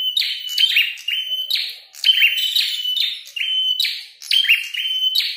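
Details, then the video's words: Red-headed prinia, fighting and singing loudly: a dense stream of sharp clicks and thin buzzing notes, groups of three or four phrases broken by brief gaps. "Prenjak tarung gacor | prenjak kepala merah"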